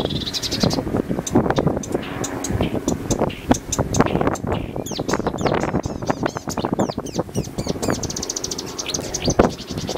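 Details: Zuid-Kennermerland marsh warbler in song, taped with digiscoping equipment: a brisk medley of sharp twitters, slurred whistles and fast rattling trills. Constant low background noise and faint distant voices.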